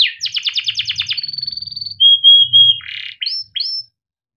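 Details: Domestic canary singing long, used as a training song for young canaries: rapid trills of downward-sweeping notes, then a steady pure whistle near the end and short rising chirps, with faint low murmuring beneath.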